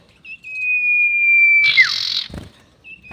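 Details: Long-whistle lure call of a sirtu bird, used when trapping birds. A clear, sustained, slightly descending whistle lasts over a second, then a harsh hissing burst arrives as it drops away, followed by a short whistle.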